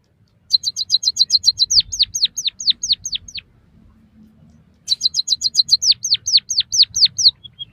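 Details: White-headed munia song played for mastering and stimulating caged birds: a rapid run of sharp high chips speeds into a string of downslurred whistled notes, about two seconds long, and the whole phrase repeats after a brief pause.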